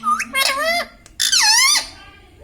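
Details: Talking pet ringneck parrot: two bursts of speech-like mimicry, each a short, nasal, bending syllable followed by a longer falling then rising word. A steady low hum runs underneath.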